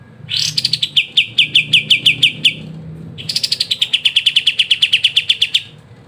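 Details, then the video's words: Kapas tembak giving an energetic ngebren song, a master recording for training songbirds: two phrases that each open with a rising buzzy burst and settle into fast, sharp, repeated high chips, nearly three per second. "KAPAS TEMBAK GACOR NGEBREN RENYAH"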